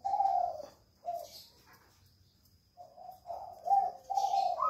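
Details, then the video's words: Spotted dove cooing actively inside a jungle fowl breeding cage. Soft, low drawn-out coos come in two phrases separated by a quiet gap, with faint rustling and a thin steady background tone. "Burung Tekukur Gacor"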